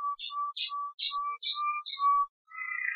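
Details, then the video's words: Malinois canary singing clear, even-pitched low whistled notes alternating with brief higher chirps, evenly spaced, then a fuller warbling phrase; clean and quiet background. "Canário Malinois"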